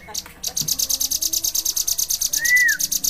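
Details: Bar-winged prinia singing vigorously in the drilling style known as ngebren: a rapid, even run of high, sharp ticking notes, about three per second, with one smooth rising-and-falling whistle near the end and faint background murmur.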